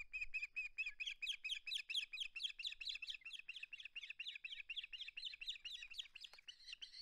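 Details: Osprey at the nest, filmed by a live camera on 21 August 2020 while refusing to part with its flounder, gives a continuous chatter of shrill, whistled chirps, more than two per second, with faint wind below.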